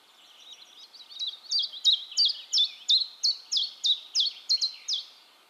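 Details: Common chiffchaff singing in Heemskerk, the Netherlands; a steady run of high, sharp two-note chips, chiff-chaff alternating about three per second, starting softly and building, quiet background.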